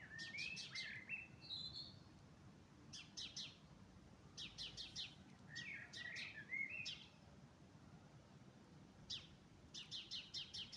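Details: Spring dawn chorus of birds: bursts of rapid high trills and chirps come in clusters every two to three seconds, mixed with brief whistled slurs, over a quiet outdoor background.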